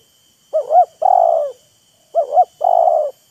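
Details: Spotted dove calls as a wild bird and a decoy trade voices: two clear phrases, each two rapid rising-falling hoots followed by a longer buzzy coo, about 1.6 seconds apart in a quiet setting.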